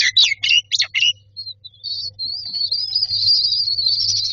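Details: Baby mynas in a nest box calling for food: a few loud harsh squawky notes at first, then a thin, high, drawn-out wheezing cry that grows steadily louder, with a faint low hum.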